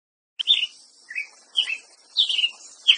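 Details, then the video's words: Ruby-crowned tanager singing a series of short, sharp chirped notes, some downslurred, spaced roughly half a second apart, with a faint high hiss in the background. "Canto do pássaro Tiê preto"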